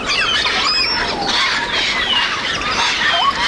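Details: Several wild Grey parrots (Psittacus erythacus) foraging and flying in Cameroon give a dense, overlapping flock chatter of sharp whistles, squeals and rising and falling notes, with no pause throughout.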